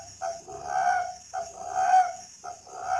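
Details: Spotted dove kept at a breeding garden in Ba Vì, Hanoi, Vietnam, giving three rounded coos, each opening with a brief note and swelling into a longer purring tone, about one per second, over faint high hiss.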